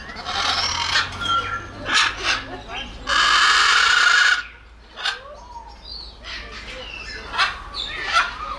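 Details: Macaw, a loud-voiced South American parrot, giving harsh raspy squawks: one long grating scream of over a second mid-clip, framed by shorter scattered rough calls and softer background noises.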